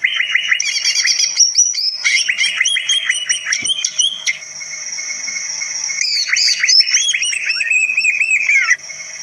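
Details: Greater green leafbird pouring out a varied, many-voiced song that provokes other birds: dense runs of quick chirps and slurred whistles, with a sustained high thin note running beneath and a brief pause near the middle.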